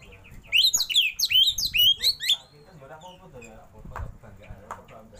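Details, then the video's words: Oriental magpie-robin, a caged bird, singing a rich varied song with rolling phrases: a rapid burst of high whistled and slurred notes over about two seconds, then quieter scattered chirps and background noise. "KACER ISIAN MEWAH❗KACER ROLL TEMBAK BUKA EKOR"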